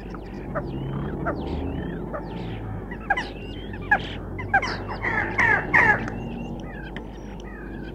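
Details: A common starling sings a varied medley that mimics tits, sparrows, crow and stork, with its own creaky notes among short whistles and clicks, over a steady low hum.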